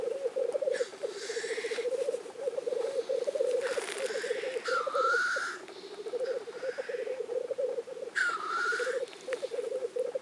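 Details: Lekking black grouse, Innvik, 2014. Continuous low, rolling bubbling forms the backdrop while loud, explosive hissing sneezes burst out three times, roughly every three to four seconds.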